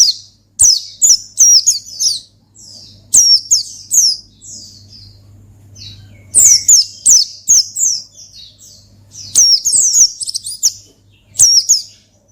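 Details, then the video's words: Oriental white-eye in full ngalas song aimed at luring and provoking a rival: clusters of rapid shrill twittering notes, each burst sliding downward, repeated every few seconds over a faint continuous hum. "Gacor Ngalas Manggil Lawan Perangsang Burung Pleci"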